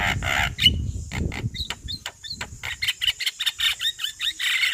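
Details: Javan myna chatter from a master training recording: loud grating bursts, then quicker short rasping notes and small whistled twitters over low background noise.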